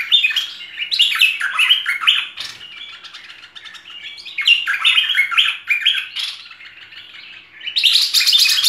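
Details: Merbah lekir bulbul tutor song, full version: clustered chattering notes and warbles, loud bursts at the start and middle, a quieter stretch, then a bright rush at the end.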